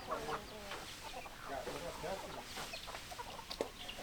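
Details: Hens clucking densely, short overlapping clucks and a few drawn-out, wavering calls, with some human voices mixed into the busy background.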